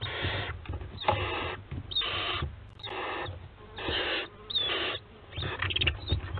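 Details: Barn owls of a family on a nest webcam at Théding, France, 4 July 2022, give rough, noisy hissing screeches, each about half a second, repeated roughly once a second with uneven gaps, over a low steady hum.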